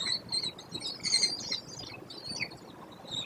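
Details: American kestrel nestlings, five hatched 14–16 May 2025, in a gravel-bottomed nest box on a barn above grassland near Prairie du Chien, Wisconsin, giving thin, high chittering notes in quick, uneven, overlapping bursts over soft hiss.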